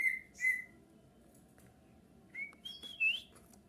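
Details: Bulbul whistling as a lure to make other bulbuls answer: two bright whistled notes, a pause, then a short phrase of upward and downward sliding whistles.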